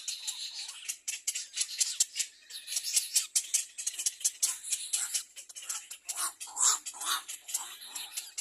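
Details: Little egret chick begging, biting at its mother's bill: loud, rapid dry clicking and rasping chatter in dense irregular bursts, high-pitched and scratchy, continuing without pause, with occasional sharper squeaky notes.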